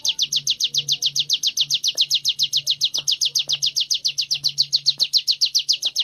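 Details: Training Sunda warbler delivering ngebren-style song, a fast steady stream of bright high chirps at about three and a half per second, with a soft low hum in the background.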